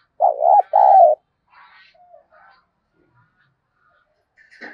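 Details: A spotted dove coos as a lure in thúc bổi style: one low phrase of two thick cooing bursts, then soft twitters from other birds and quiet.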